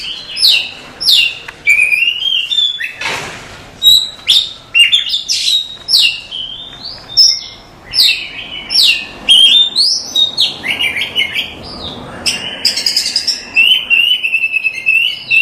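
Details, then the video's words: Oriental magpie-robin masteran song: a dense run of varied high whistles, sharp chirps and warbled phrases, delivered almost without pause, with a brief harsh burst near the third second. "Suara Masteran Kacer"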